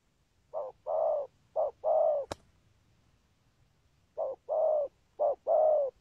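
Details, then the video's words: Low, mellow spotted dove coos, in a patterned song with good lead-in and spurring 'thúc gù' notes. Two short-long coo pairs, a sharp click, a pause, then two more pairs. "Chim Cu Có bài, rước tốt, có thúc gù"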